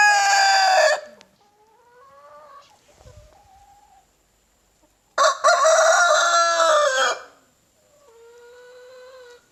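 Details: Leghorn rooster crowing: a loud harsh crow, softer rising calls from other birds, then a second long raucous crow lasting about two seconds.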